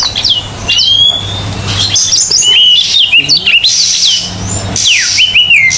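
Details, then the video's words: Oriental magpie-robin in full energetic song on a training recording, with loud clear whistles sliding up and down, some sharp upsweeps and twisting phrases, a low steady hum underneath. "MASTERAN TERBARU KACER GACOR..!! 100% TERAPI KACER MACET BUNYI"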